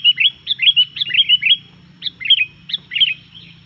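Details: Sooty-headed bulbul (kutilang) in energetic 'gacor' song, said to provoke other bulbuls: bright, liquid, bubbling phrases of quick warbled notes in bursts of about half a second, with short pauses and a faint low hum beneath.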